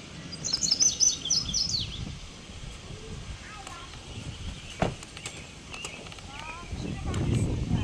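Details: Male indigo bunting singing in a park: a quick run of high, sweet paired notes lasting under two seconds, then a quieter stretch with faint other chirps, background hum and a brief knock.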